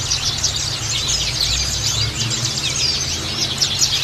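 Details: White-eye lure sound: a thick wash of quick, thin, high chirps from several birds, continuous and overlapping, with a low hum beneath.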